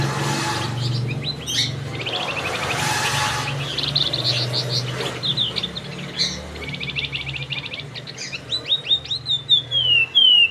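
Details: Male flamboyan in full song (gacor), a chattering crecetan style: rapid varied chirps and trills, buzzy bursts, fast repeated notes, ending in a descending series of sharp whistles, with low hum and rustling noise beneath.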